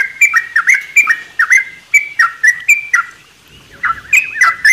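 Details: Caged sooty-headed bulbul in a mini aviary, morning: bubbly two-part phrases, a clear fluty note dropping into a warbled lower note, repeated about twice a second with a short gap near the end.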